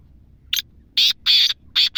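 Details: Black francolin, described as a wild native bird, giving loud, harsh, grating notes: a short rasping note, then three longer buzzy scraping phrases in a steady rhythm about a quarter second apart, over a quiet background.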